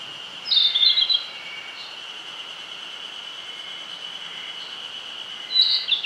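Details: On the Nishi-Zao plateau in Yamagata city, Yamagata Prefecture, Japan, a Narcissus flycatcher gives two brief, bright whistled phrases several seconds apart over a steady high-pitched insect-like drone.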